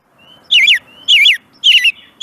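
American Robin singing: short, rich, warbled caroling phrases repeated about every half second, each preceded by a thin high whistle, over a faint low hum.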